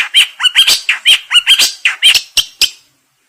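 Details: A cendet gives a short run of chattering notes, each a brief whistle with a harsh buzzy edge, about four per second, ending in a few clipped chips.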